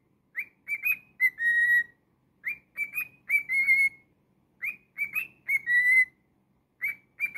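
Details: Cockatiel kept as a pet whistling a repeated tune: quick rising notes followed by a long level whistle, the phrase repeating about every two seconds in a quiet room.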